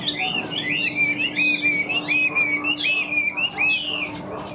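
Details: Chinese hwamei in captivity, a big bird with yellow legs and bill, sings a continuous flow of slurred, swooping whistled phrases with a steady faint hum in the room.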